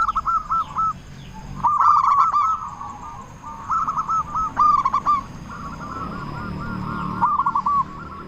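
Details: Zebra dove of local stock singing loudly as a lure to get silent doves calling: short rolling coo phrases repeated at irregular intervals over a low background hum.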